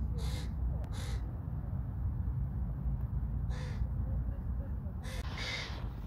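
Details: A hooded crow feeding its fledglings gives harsh, raspy calls in short bursts, two close together at the start and more after a pause, over a heavy low rumble of wind.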